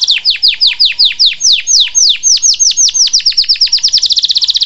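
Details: Canary singing: a loud run of clear descending whistled sweeps, about four per second at first, speeding into a fast even trill of short notes toward the end.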